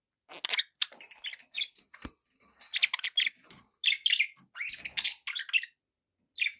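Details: Budgerigars chattering continuously: quick scratchy chirps, buzzy warbles and bright twitters in tight clusters, with a sharp click partway through and a final short chirp after a brief pause.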